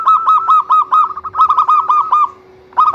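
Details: Loud local zebra dove used as a singing lure for other doves: close, fast-repeated hooked coos in two bursts of about five and seven notes, a short silence, then the phrase starting again.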